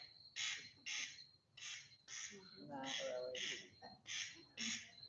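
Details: Corn Crake calling unseen from a field, recorded faintly, giving dry, rasping double crex-crex notes in four pairs about a second apart over a thin steady high tone and faint murmurs; the Merlin app misidentified it as a mallard.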